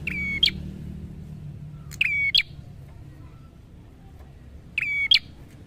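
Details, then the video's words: Prinia in lively song, recorded to train other birds: three phrases of a click, a level sustained whistle and a bright closing chip, separated by pauses of two to three seconds, with low hum in the background. "Terapi Suara Prenjak Gacor"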